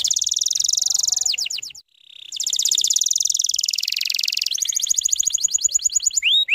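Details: Canary lure song for young birds, rapid-fire style: a fast buzzy roll, a brief gap, a long rapid trill of stacked notes, then a closing run of quick rising whistles.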